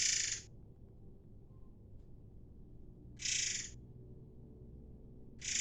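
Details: Sumatran air mancur bird, used as a lure to train oriental magpie-robins, gives harsh, rushing, hiss-like bursts about half a second long, repeated roughly every three seconds over a low steady background hum.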